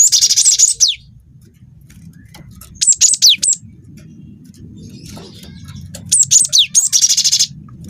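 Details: Rolling lure song of a juvenile wingko cinereous tit: buzzy high rattles paired with sharp descending whistles, a quiet stretch of several seconds, then another whistle-and-rattle phrase over constant low hum.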